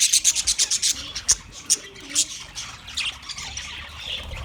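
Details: Budgerigars, 29 February 2024: a quick series of about ten sharp clicking chirps, a few louder single notes, then softer rambling warble from the flock.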